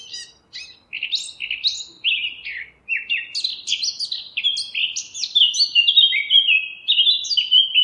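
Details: Eurasian blackcap in song: a quiet chattering start that builds into loud, rich, fluting whistles, delivered as a rapid run of short descending notes, with the phrase growing stronger toward the end, against a clean, silent background.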